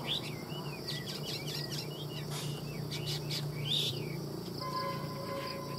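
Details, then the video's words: Chinese hwamei kept in a cage for sale in Vietnam, delivering clusters of sharp whistled notes and sweeps for about four seconds. Steady electronic-like tones follow, with a low hum beneath. "Hoa mi hót giọng hay"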